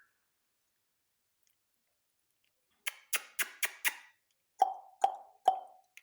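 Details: Indoors, sharp plopping taps: five quick knocks in a row, then three lower, rounder taps about half a second apart, with no animal voice heard.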